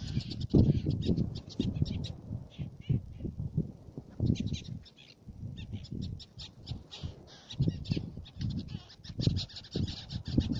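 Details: Black-naped tern calls recorded at Fares in the Maldives' Baa Atoll: rapid clusters of thin, high, rasping notes with a brief lull midway, set against strong low rumbling background noise.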